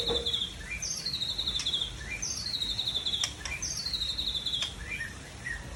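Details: Seven-year-old white-rumped shama from Tangse repeating a high buzzy, slightly descending phrase about every one and a half seconds, each followed by soft lower chirps, against background hiss.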